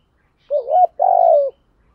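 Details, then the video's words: Spotted dove call used to stimulate birds during training: a rising, wavering two-part coo followed by a long, steady, burry coo that falls slightly at the end, heard in quiet surroundings. "Giọng cu gáy kích bổi cực chuẩn giúp các anh em đam mê luyện chim"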